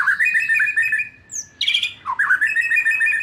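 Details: White-rumped shama, for training young wild birds and post-juvenile birds to sing loudly: dense, rapidly repeated chattering whistles, broken by a high thin note and a harsh burst, then resuming.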